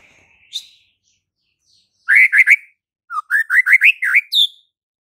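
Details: White-rumped shama (murai batu) singing: a lone whistled note, then a quick burst of three rising notes and a run of seven short upslurred, mid-pitched notes, ending on a higher clear whistle; no other sounds.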